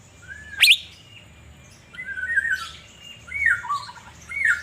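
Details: Kept Asian fairy-bluebird in Banjarmasin, in full song while being sunned: a sharp high chirp opens, followed by liquid whistled phrases that slur up and down, each about half a second, with a steady low hum behind.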